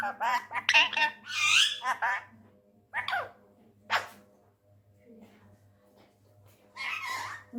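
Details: Indian ringneck parrot, a tame male said to be angry and talking in Urdu/Hindi, indoors: a rapid jumble of raspy squawked syllables, then scattered single harsh notes and a final drawn-out rough squawk.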